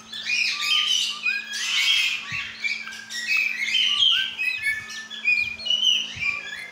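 Lorikeet chatter: a steady stream of shrill, squeaky chirps and harsh squawks, tumbling and overlapping without pause, over a faint low electrical hum.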